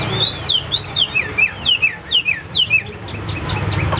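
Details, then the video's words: In competition display, the Hwamei repeats sharp down-slurred whistles about twice a second, loud and ringing, then fades into lower murmuring noise. "Đẹp đấu xòe chất giọng cực hay"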